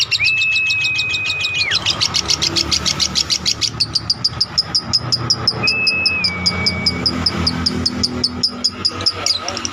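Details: Lovebird in an extended ngekek trill meant for tutoring other birds: rapid high chattering pulses throughout, overlaid by two long flat whistled tones that slide downward at their ends, with a low background hum.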